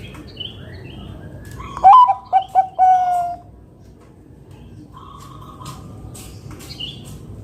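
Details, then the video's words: Bangkok-type zebra dove, sung to draw other doves into singing, delivers one 'kung besar' phrase: a rising first note, quick clipped coos and a drawn-out last coo. Softer distant coos and high twittering birds fill the pauses. "Perkutut Bangkok gacor Suara KUNG BESAR"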